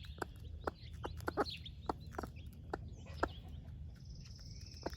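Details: Broody splash laced red Wyandotte hen sharing breakfast with her baby chicks: short, sharp clucks scattered through the clip, while the chicks give thin, high peeping whistles, a few long and level, above a low background rumble.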